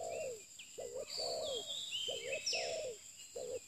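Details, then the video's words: Newly acquired spotted dove used for pikat luring, giving rhythmic low coo notes in pairs with a falling end, while background birds trill and whistle higher. "pikat terkukur burung baru"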